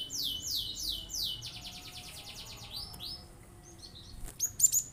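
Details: Cinereous tit song used to provoke other birds into singing: strong repeated downslurred whistles giving way to a rapid thin series, a pause, then a few sharp high chirps.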